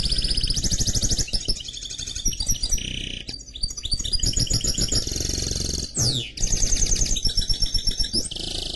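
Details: Mule from a canary crossed with a goldfinch giving nearly unbroken song: rapid trills, rolls and chattering notes at varied pitches, one steep downward sweep, backed by a low hum.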